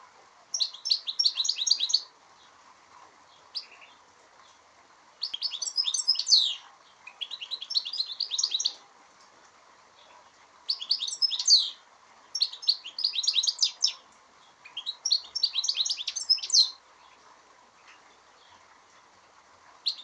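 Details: A European goldfinch in Aspropyrgos, Greece, on 25 March 2015 sings bright, tinkling bursts of rapid twittering notes with short pauses between them.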